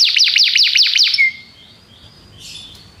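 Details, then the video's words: Belgian canary giving a short burst of rapid, high, descending repeated notes for just over a second, then one whistled note and faint background hiss. "canário belga cantando"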